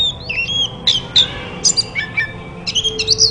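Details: Oriental magpie-robin used to stimulate silent birds into song: a short mix of sweet whistled slurs and sharp chirps, with uneven gaps between notes over a faint steady hum.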